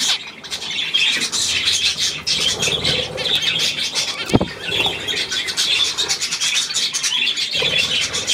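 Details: Budgerigars from 9 February 2024 chatter steadily in high squeaky, warbling notes, many birds at once, with one sharp knock partway through and light flapping.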